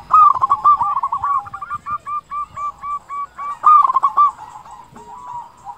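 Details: Local zebra dove, a frequent singer with a big voice, used as a lure to make other doves sing: rapid, clipped cooing notes in two loud bursts, separated by a steady run of shorter, evenly spaced coos.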